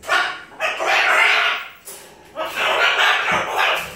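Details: Pet macaw screeching in two long, loud, harsh squawks, each lasting about a second and a half with a short pause between, indoors.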